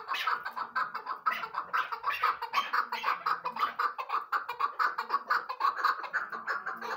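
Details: Two captive hunting-decoy chukar partridges, tagged as female, give a rapid, harsh clucking chatter, about two bursts a second, the chuk-chuk notes running together in a steady, slightly scratchy rhythm, with laughter nearby.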